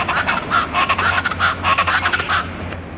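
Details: Speckled chachalaca at Buena Vista Peak in the eastern Andes above the Llanos, recorded in June: harsh, raucous, grating notes in rapid bursts, rising and falling in loudness, several rough phrases running together over faint background hiss.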